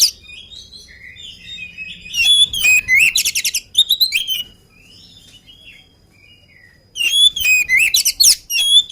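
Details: Oriental magpie-robin singing hard before its meal: bursts of fast, high chattering notes and whistled slurs, a quiet pause of about three seconds, then another loud run of sharp, varied phrases.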